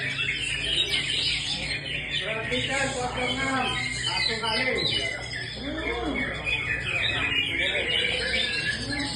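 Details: Cucak ijo, the greater green leafbird, delivering a dense, busy medley of squawks, slurred whistles and rapid chirps that barely pause, with low murmuring voices and constant hiss underneath.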